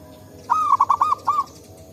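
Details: Wild local zebra dove in forest, used as a lure for other birds: a single rapid phrase of about six soft, rolling coos with a stuttering rhythm, lasting about a second, over low background noise.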